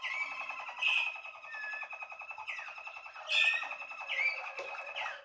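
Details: Young Waterslager canary from 2020 recorded in January 2021 in a small room, giving continuous rolling, gurgling trills broken by brief higher whistled notes and sharp chirps.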